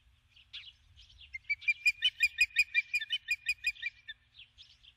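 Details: A female osprey at the nest at dusk, calling for her mate who never arrives; a few soft chirps build into a steady, fast sequence of piercing whistled peeps, several per second, then tail off.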